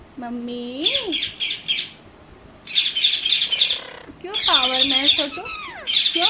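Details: Angry pet Indian ringneck parakeet, a talking bird, mixes loud rasping squawk bursts with a few tonal, speech-like rising and falling notes.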